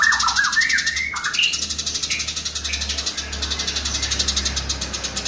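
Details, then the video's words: House sparrows fighting: a rapid, rhythmic rattle of pulses with a few downslurred chirps at the start, over a steady low engine-like hum. "BURUNG GEREJA NYERET SPEED RAPAT VOLUME KERAS GACOR KONSLET"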